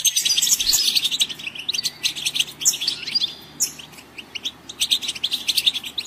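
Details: Goldfinch twittering: a dense, high, jangling flow of chirps and trills that eases briefly midway before resuming at full pace.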